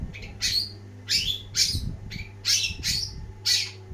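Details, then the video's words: Long-tailed shrike (cendet) singing energetically, giving six loud harsh squawking notes about every half second, each a rough downslurred burst, with a low background hum. "ocehan burung cendet gacor banget!!!"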